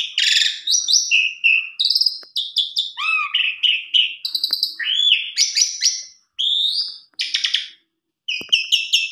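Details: Varied fill-in song of an Asian pied starling, used to coax a sluggish or stressed bird into singing: loud nonstop mix of clipped chattering bursts, upswept whistles and buzzy trills with brief silences near the end.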